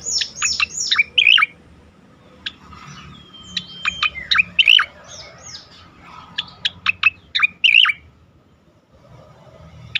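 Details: Striated grassbird with a sweet, varied song of crisp downslurred chirps, a brief whistled note and twisting trills, delivered in irregular bursts with short pauses.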